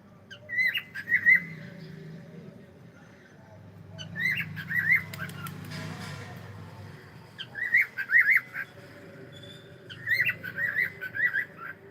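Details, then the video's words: Indoor pet cockatiel saying hello: four bursts of squeaky zigzag warbling separated by pauses, with a soft rustle like wing movement between them. "is saying hello"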